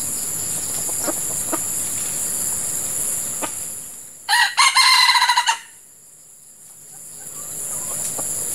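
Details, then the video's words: Female red junglefowl used as a decoy for trapping wild junglefowl in hot breeding-season weather gives one loud, harmonic, slightly pulsed call lasting just over a second, over a steady high insect drone and a few faint clicks. "Ayam Hutan Pikat Betina"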